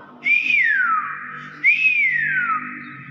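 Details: Talking common hill myna copying the word "bakpao": two matching loud whistles about 1.5 seconds apart, each rising briefly and then sliding steadily downward, with voices heard indoors.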